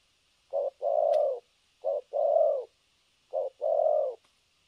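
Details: Decoy spotted dove used in trapping, cooing nonstop in the thổ cấn sấm nước style, recorded 3 December 2022; three pairs of low coos, each a brief note then a longer sustained one, spaced about 1.4 seconds apart, with a soft constant background hiss.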